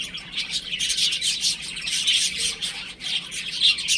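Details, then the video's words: Baby chickens in a home setting, their high, thin chirps crowding together into a restless chatter that rises and dips over a few seconds. "Cute Baby Chicken Chirping Sounds"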